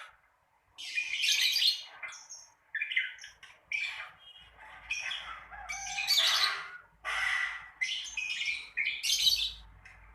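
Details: Lovebird ngekek chatter for prompting beginner lovebirds to sing. Roughly eight dense, shrill, rasping bursts, each lasting about a second, follow one another steadily.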